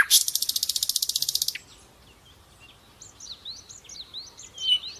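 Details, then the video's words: Common nightingale singing as a training bird for other songbirds: a fast, broadband rattle of about fifteen even pulses, then quieter, high, slurred whistled notes rising and falling after a short pause. "Sikatan londo Gacor, Nightingale bird song"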